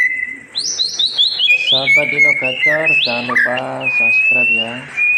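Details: White-rumped shama song used to tutor silent birds: high descending whistles blending into a rich, harmonic warbling series of rapid notes, ending in a thin sustained whistle.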